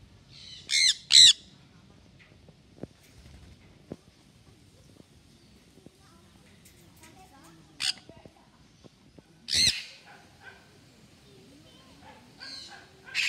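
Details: Sun conure (Aratinga solstitialis), squawk.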